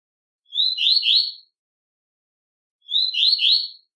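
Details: Short fragments of velox tui tui song from a Double-collared seedeater: two brief phrases about two and a half seconds apart, each a rising whistle followed by two or three quick buzzy slurred notes.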